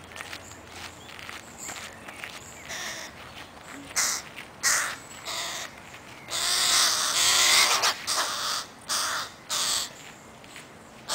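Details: Crow chicks in Helsinki, Finland, on 20 July 2011, staying close to their mother and begging; rapid rasping caws repeated about every half second, building to a long loud harsh outburst midway, then more short calls.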